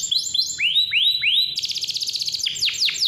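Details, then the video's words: Lively canary singing, meant to coax young or quiet canaries into song: high swooping notes rising then falling, followed by a fast buzzy rolling trill and more steep descending whistles. "KICAU KENARI GACOR SUARA JERNIH COCOK BUAT PANCINGAN"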